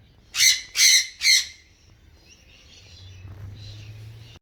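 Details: Several wild galah cockatoos visit an Australian backyard to graze on seeds, with rosellas about; three loud, raspy screeches in quick succession, then faint distant chatter and a low hum.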